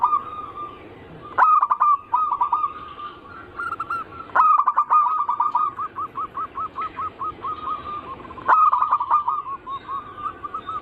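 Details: Zebra dove (perkutut) song in the anggungan cooing style, used as a lure; local, Bangkok and crossing types are named. Rapid series of low, mellow cooing notes repeats, each phrase opening with a sharp accented note, restarting about every three to four seconds.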